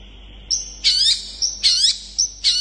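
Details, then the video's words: Long-tailed shrike song used to provoke rival shrikes into answering: a thin sustained whistle broken by three loud, buzzy, squealing bursts about every second. "Cendet gacor speed rapat ampuh untuk memancing cendet lain langsung nyaut"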